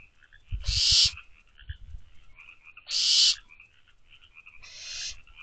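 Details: Barn owl owlets inside a nest box, 12:24 am on 24 May 2023: two loud, breathy screeching hisses about two seconds apart, then a fainter third, with low thumps and steady high trilling in the background.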